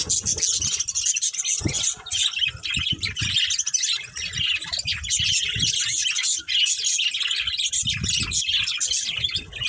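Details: Budgerigars, a breeding pair, chirp in a steady high twittering warble, with soft low thumps and rustles underneath.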